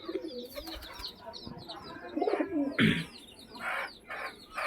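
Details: Pigeons in a loft with a brief throaty coo amid bursts of rustling and knocking, while high chirps from small birds run through the background.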